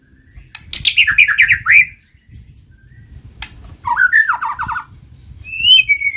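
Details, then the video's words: White-rumped shama song meant to prompt other shamas into singing, given as two bursts of harsh, descending slurred notes separated by a pause, ending with a clear high whistle. "pancing MURAI BATU malas bunyi/bahan paling mudah direspon tanpa takut |murai gacor |shama bird"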